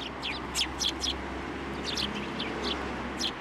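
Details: At a Tenmangu shrine in December 2023, sparrows flying onto a hand to be fed utter crisp, high chirps in short clusters of two or three, over a steady low hum.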